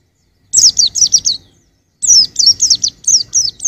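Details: White-eye song used for training songbirds: two quick bursts of high, thin chirps, each note sliding downward, about five notes then a longer run of seven after a short silence.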